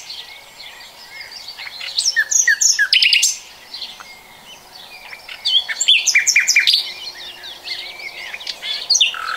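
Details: Common nightingale song from 2020: two strong phrases of varied whistles and fast rattling notes, separated by quieter stretches of background chirping from other birds.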